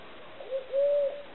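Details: Eurasian collared dove (Streptopelia decaocto), call.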